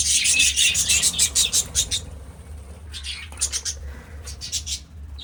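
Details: Budgerigars at a breeding setup giving a fast run of sharp, high ticking chirps, then a pause and a second burst of scratchy notes, over a constant low hum.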